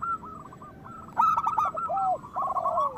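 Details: Soft trilled coos from local zebra doves build into a loud bright rolling phrase, followed by a low slurred note and continued quavering. Used to spur other doves into breeding song.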